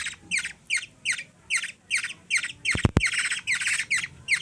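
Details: Hungry young black-naped oriole in the Philippines being hand-fed by a 3-year-old girl gives harsh, raspy begging squawks about twice a second, with one brief loud knock.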